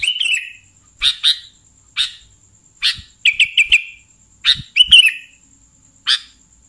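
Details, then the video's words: Sooty-headed bulbul lure calls: loud harsh chirps and short slurred notes, including a run of four quick notes, spaced irregularly about a second apart, with faint low thumps and a thin high whine. "SUARA BURUNG Kutilang Pikat"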